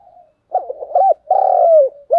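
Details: Spotted dove decoy bird cooing in the thúc gù style with a thổ đồng voice: a short mellow note, then a quick stuttering run of rolling coos and a long, loud, slightly falling coo, clean and close.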